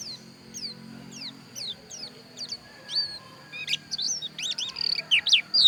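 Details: Javan white-eye of the dakun type from Pupuan, Bali, singing a string of quick high down-slurred chirps that speed into a dense jumble of twisting whistled notes, over a steady thin high whine.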